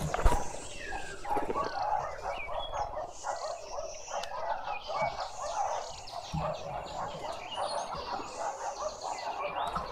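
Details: A juvenile green woodhoopoe, newly independent, in a suburban garden in Pretoria, South Africa, gives a steady, rapid, harsh chattering cackle that runs on without pause, with low background rumble beneath it.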